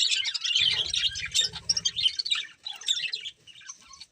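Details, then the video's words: Colourful budgerigar breeding pair giving fast, warbling, buzzy chirps in a steady high chatter that fades toward the end, with a brief low hum underneath. "Colourful Budgies Chirping Sounds"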